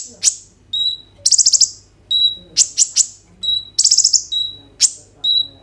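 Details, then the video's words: Shrill kolibri ninja sunbird phrases, phone-recorded as a singing prompt for other kolibri ninja: sharp upward chips, level whistles and rapid buzzy trills in alternation, evenly spaced across the recording. "KOLIBRI NINJA GACOR FULL ISIAN ROLL TEMBAK, COCOK UNTUK PANCINGAN KONIN BAHAN BIAR BUNYI"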